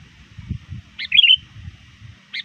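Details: Sooty-headed bulbul used as a lure bird, calling rivals near dusk: one short bubbly phrase of warbled notes, then the start of another, over faint low rumbling.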